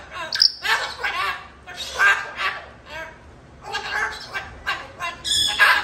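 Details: Pet Moluccan cockatoo, a female, indoors yelling at an African grey parrot that is messing with her cage: a string of loud, harsh, broadband squawks in bursts, some short and some drawn out, with brief pauses between.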